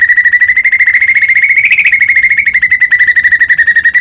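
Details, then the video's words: White-rumped shama in vigorous song, used as a lure to make other shamas sing and grow agitated. A fast, steady trill of tightly repeated notes at one pitch, rising briefly in the middle, running throughout. "murai batu gacor AMPUH buat PANCINGAN murai batu agar bunyi JADIKAN burung murai gacor EMOSI"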